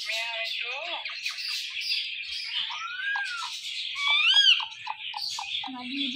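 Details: Talking Indian ringneck parrot giving high, scratchy chatter with short arched whistles and quick clipped notes, one louder ringing arc near the middle, and a brief lower tone at the end.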